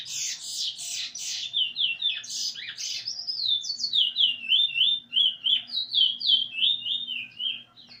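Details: Eurasian bullfinch, recorded 13 August 2020 while singing along with its teacher bird during song learning: scratchy, noisy notes at first, then a long series of wavy, piping whistles repeated about three times a second.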